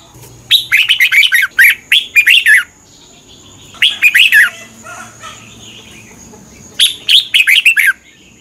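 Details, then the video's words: Song of a Red-whiskered bulbul for birds to learn from or to get excited by: three runs of rapid, bouncing whistled notes, the first long and busy, separated by short pauses. "เสียงนกกรงหัวจุก สำหรับต่อ หรือ เปิดให้นกคึก เสียงเพราะๆ"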